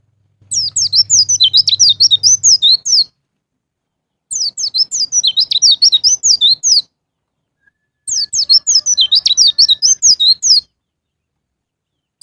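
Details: Lure recording of white-eye song in the long ngalas ngeplong style, meant to get caged birds singing: three bursts of fast, high, squeaky chirps, each roughly two and a half seconds long, briefly over a low hum.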